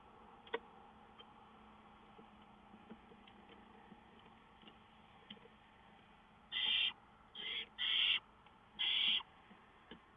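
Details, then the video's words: Songbirds, 5-9-2013: after several seconds of faint clicks and ticks, four loud raspy buzzing bursts come in quick succession, each short and high-pitched, with a low hum underneath. "Songbirds wild antics"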